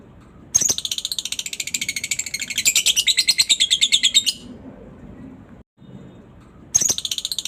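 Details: Lovebird in long ngekek chatter, played to prompt other lovebirds to sing: a shrill, rapid rattle of pulsed notes runs for almost four seconds, then a pause and a fresh burst starts.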